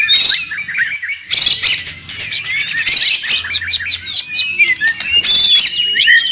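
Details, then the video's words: White-rumped shama song used to train songbirds: bursts of high buzzy trills broken by short gaps, mixed with thin whistles and sharp chirps. "Murai ribut Sangat berisik. dijamin nyaut bongkar materi."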